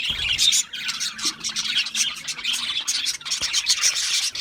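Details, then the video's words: Budgerigars chirping: a dense, continuous chatter of overlapping high twittering and warbled notes with scratchy squawks woven through, briefly dipping in loudness near the start and again around three seconds. "Natural Parakeet Singing Birds | Parrots Chirping sounds"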